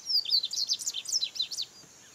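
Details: Short burst of Double-collared seedeater (Sporophila caerulescens) song from 2018: a rapid series of high, sliding chirps and twitters lasting under two seconds, over a thin, steady, high insect hum.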